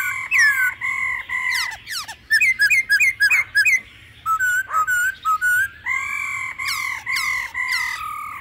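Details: Laughingthrush in an old wild-forest voice, with female calls: a busy song of level whistles, fast chattering note clusters, short slurred whistles and repeated downswept notes, sung continuously.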